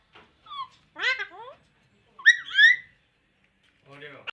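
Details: Talking pahari Alexandrine parrot producing loud, word-like bursts of rasping, gliding tones in short phrases separated by silences, ending with a harsh buzzy syllable.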